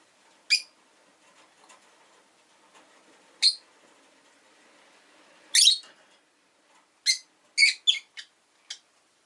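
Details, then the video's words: Rosy-faced lovebird, a pet, giving sharp high chirps spaced irregularly: single notes at first, then a quick cluster of four or five near the end, over a faint hum of street noise. "Lovebird Chirping Sounds"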